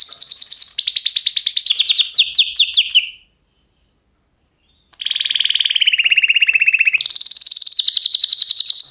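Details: Canary singing long rolling trills that step down in pitch, a silent pause of about two seconds, then a lower trill rising to a high rapid rolling tour.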